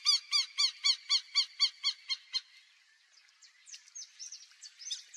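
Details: Black-bellied whistling duck in the Pantanal giving a quick series of about ten squealing, whistled notes, four per second, then softer varied twitters and squeaks.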